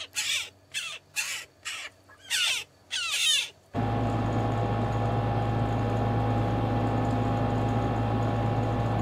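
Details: An endangered Mariana crow on the Pacific island of Rota, among crows released into the forest, gives six harsh, raspy caws in quick succession over about four seconds, then is cut off by a loud, rumbling engine-like drone.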